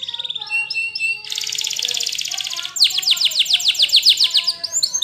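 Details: Belgian canary singing: high whistled notes and short descending phrases, then a dense, even buzzy roll held for about a second and a half, followed by a fast series of sweeping downward strokes repeated several times a second.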